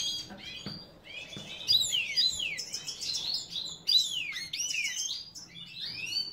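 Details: Captive-bred European goldfinch, major form, in Ioannina, Greece, pouring out a fast liquid twittering song of sweeping, slurred high notes in bursts, after a second of quiet with soft knocks.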